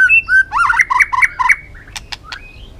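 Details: White-rumped shama singing a varied forest song: two clear whistles, then a rapid warbled run of bouncing notes, followed by sharp clicks and a soft rising whistle.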